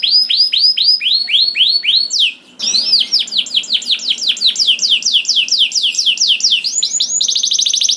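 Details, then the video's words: Canary song meant to get other canaries singing: a series of arched whistled notes, a short pause, then rapid repeated downslurred notes ending in a fast high trill. "MASTERAN KENARI GACOR !! DENGAR SUARA KENARI DI JAMIN KENARI NYAUT SEKETIKA"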